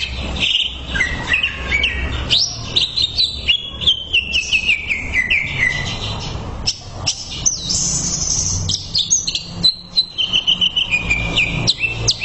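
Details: Fast, varied whistled song of a greater green leafbird, used as a tutor recording for caged birds, with long downward-gliding notes, sharp chirps and short trills running almost without a break.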